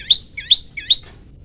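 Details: Olive-backed tailorbird in full song, giving the 'shot' style variation used as a lure and tutor for other birds: three sharp, upward-flicking whistled notes spaced about 0.4 seconds apart, bright and high, over a quiet background.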